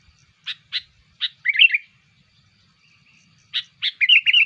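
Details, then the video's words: Lure call for bulbuls from a sooty-headed bulbul: three sharp separate notes leading into a bubbly warble, a pause, then the same pattern again ending in a quick rolling flourish. "SUARA PIKAT KUTILANG BUAT KUTILANG KALIAN GACOR"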